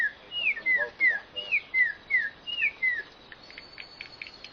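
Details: Bird giving repeated downslurred whistles, each sliding from higher to lower, about two per second, then fading into faint high chips over steady background hiss.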